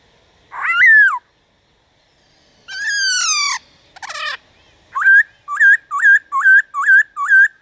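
Black-throated laughingthrush giving loud, rich whistles, a harsh rasping burst, then a fast series of about seven clear upslurred notes at two per second.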